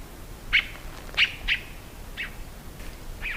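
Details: Tiê-caburé singing: brief bright chirped notes spaced irregularly, the first three stronger and the later ones fainter, with steady low background noise.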